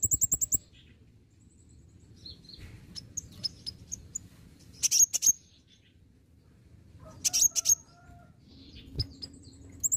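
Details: Olive-backed sunbird (kolibri ninja) heard on a lure recording meant to prompt singing: rapid high ticking notes, then scattered bursts of piercing thin chirps every couple of seconds, with a soft flutter and faint low background rumble.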